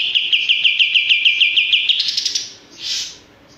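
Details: Male olive-winged bulbul singing a quick string of clear repeated chirps at a steady pace, ending in a higher buzzy rush and a soft breathy note.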